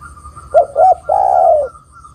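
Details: A female spotted dove calls its mate with two short husky coos leading into a long, gently falling croo, over a faint steady high whistle.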